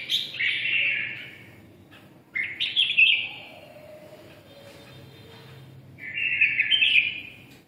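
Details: "Siêu ché" song from a red-whiskered bulbul of the red-eyelid type: rich warbling phrases alternating with quiet gaps, loud throaty chatter at the start and end over a low steady hum.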